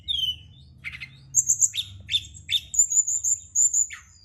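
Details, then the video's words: Brown-chested jungle flycatcher song at night meant to stimulate singing: a falling whistle, repeated chirps, and a long sustained high thin whistle with short notes beneath. "Pancingan & Terapi Burung SRDC dimalam hari biar tambah GACOR & CEPAT NGEPLONG"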